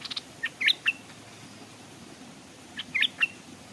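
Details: Stripe-throated bulbul, kept as a decoy by a stream where other birds come but stay off. Two short phrases of crisp, rising and falling whistled chirps, a few notes each, about two seconds apart, with soft scattered ticks.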